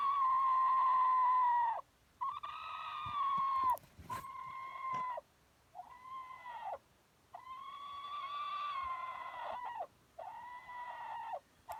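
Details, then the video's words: Domestic chicken giving a long run of loud, drawn-out squawking calls, each a strained, nasal note held one to two seconds and separated by short pauses, some rising then falling at the end, with a few brief clicks in between. "Weird Funny Chicken Sounds"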